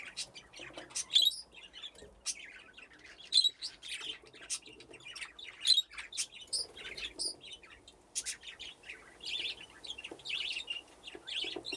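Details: A flock of budgerigars enjoying an aviary with nesting boxes keeps up busy, overlapping chatter. Rapid high chirps, buzzy squeaks and warbled notes pour out almost without pause, with louder sharp notes now and then.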